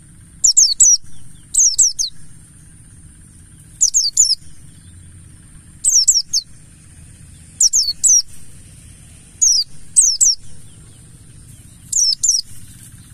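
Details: Lure song of the buxtoni mountain white-eye, a wild-style bird: repeated clusters of two or three high, falling, whistled notes every one to two seconds, against a steady low hum.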